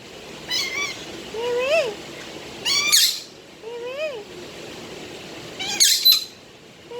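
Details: Budgerigar talking and singing: arched, rising-then-falling whistled notes with bright overtones, mixed with quick upward chirps and short hissing bursts in an irregular chatter.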